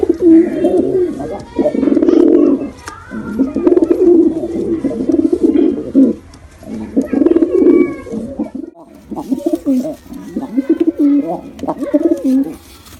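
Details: Pigeons, male and female together, cooing indoors in repeated low rolling phrases, each swelling and falling for about a second, with short gaps and faint rustling between.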